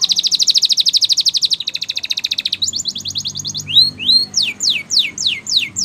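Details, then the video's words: Training song of a canary: a fast, even rattling trill that slows into crisp repeated chirps, then gives way to upslurred whistles and clear falling sweeps. "Canary's Training Song"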